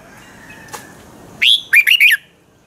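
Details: Red-whiskered bulbul singing a short phrase of the double-song style from Pa La-u, Thailand: four loud, rich whistled notes, the first rising and the rest looping up and down, after a faint quieter note and a click.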